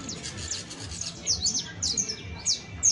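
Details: Saffron finch juvenile (canario basto) giving high falling chirps, some in quick pairs, spaced irregularly across a few seconds, with faint low noise.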